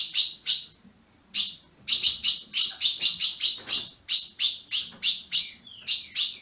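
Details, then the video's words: Ultramarine grosbeak kept in captivity in Brazil, calling to stimulate another caged bird: dense bursts of piercing high chips, about twenty in all, after a short pause early on, with one thin falling whistle near the end. "Azulão piando"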